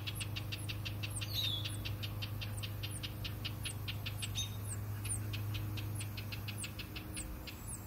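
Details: House wren parents warning an intruder away from their two-day-old hatched chicks: continuous rapid scratchy chatter, about two notes per second per bird overlapping, with thin high descending chirps and a brief whistle, over steady low mechanical hum.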